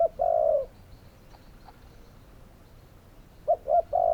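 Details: Spotted doves calling: a long low coo near the start, then a quiet gap, then two short coos and another long drawn coo at the end.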